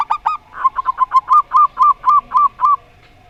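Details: A long rolling series from a zebra dove, local Rondo Semoyo singer against an odd-voiced bird: about fourteen ringing coos that start quick and stutter, then settle into a slower, evenly spaced rhythm before stopping.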